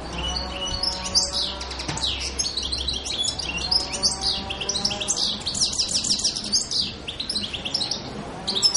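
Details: Song of a European goldfinch from Pantelleria island, 02/01/2011, a lively run of sharp, liquid high notes and buzzy trills delivered quickly and almost without a break, over a faint low drone.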